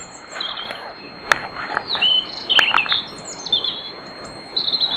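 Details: European robin warming up with nocturnal song in the early hours before dawn, in riverside woodland at Bóveda, Lugo. Thin, high whistled notes and short trilled phrases come in scattered bursts with pauses, over a quiet background with a few faint clicks.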